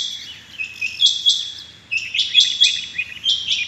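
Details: Morning calls of rain quail, 6 July 2021: quick pairs and triplets of piercing high notes, separated by brief pauses, over a faint low hum.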